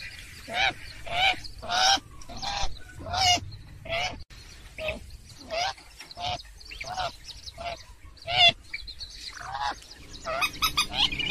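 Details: Purple swamphen on a trapping lure track: a series of nasal, harmonic wailing calls repeated irregularly about once a second, each rising then falling, with background hiss and a brief jumble of higher calls near the end.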